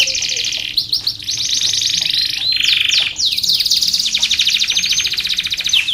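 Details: Canary in long, lively song for training and luring other canaries: continuous high rolling trills with shifting pitch and a few sharp sweeping whistles, dense and unbroken.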